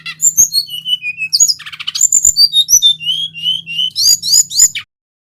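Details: Male brown-chested jungle flycatcher from Bali, singing without a break, used to lure and stimulate other birds. A flowing series of descending whistled notes, a rough buzzy burst, then steady whistles ending in rapid high trills, over a low hum.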